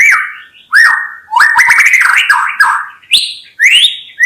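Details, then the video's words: Rich whistled song from a white-rumped shama: a falling whistle, then a rolling run of linked warbled notes, ending in two bright upward-swooping whistles. "SUARA KHAS BURUNG MURAI BATU_KICAU ISTIMEWA"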